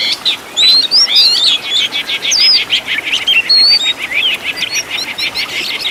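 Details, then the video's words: Oriental magpie-robin master recording with fill-in phrases for caged birds: clear upslurred whistles over a steady stream of fast, clicking, trilled notes, loud and nearly continuous. "MASTERAN BURUNG KACER FULL ISIAN TEMBAKAN MEWAH LENGKAP"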